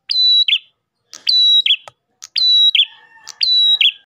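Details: Repeated lure song of an Ash tailorbird: a bright sustained whistle ending in a buzzy drop, about once a second, with a faint lower steady tone in the background late on.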